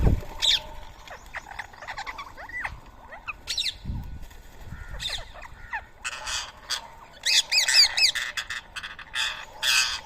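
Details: Morning feeding of rose-ringed parakeets on soaked boiled rice in Coimbatore, India, 7 AM, 31 March 2024. A loud thump starts, then sweeping squeaky calls, growing after six seconds into dense, harsh, rapidly repeated screeches from many birds.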